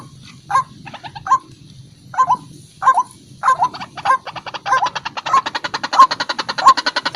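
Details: White-breasted waterhen calling for use as a lure: spaced pairs of hoarse, nasal notes that speed up into a steady, rhythmic run of repeated croaks, growing louder toward the end.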